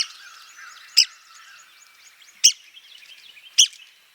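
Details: Sharp, high clipped calls from a Red-cockaded woodpecker in a southeastern United States pine forest, three notes spaced one to one and a half seconds apart, with soft twittering of other birds behind.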